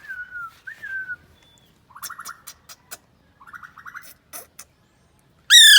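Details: A talking Alexandrine parakeet playing with a mobile phone gives two slurred, falling whistles, then raspy speech-like bursts with sharp clicks, ending in a loud harsh screech.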